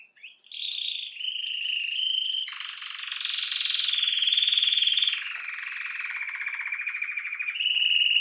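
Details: Belgian canary, also called canário-do-reino, singing a continuous run of buzzy rolled tours, each held a second or two, stepping between high and mid pitches, with a brighter fast trill near the end; no other sounds.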